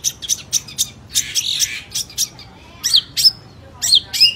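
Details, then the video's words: Long-tailed shrike singing energetically in Indonesia: quick harsh, buzzy squawking bursts in an uneven run, then a pause and several sharp, high, downslurred ringing notes in small clusters toward the end. "cendet gacor"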